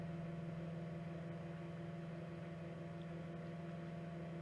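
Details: A steady electrical hum with constant low tones and faint background hiss, and no animal calls.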